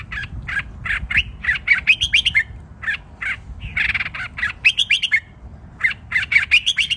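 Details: Red-whiskered bulbul song counted phrase by phrase: repeated short bursts of sharp, chattering notes with bright, rising whistled ends, given in clusters every second or so over a steady low background hum.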